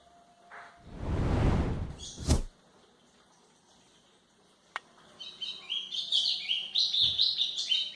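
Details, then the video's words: White-throated seedeater song meant for training young birds: loud rustling and a sharp knock come first, then a rapid jumble of high, buzzy chirps starts after about five seconds and runs to the end. "canto de golinha para foquear pássaros"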